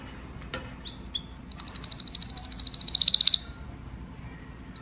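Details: Canary singing to call the flock: a few short downward-swept notes, then a fast, bright trill of repeated high notes lasting about two seconds before falling quiet.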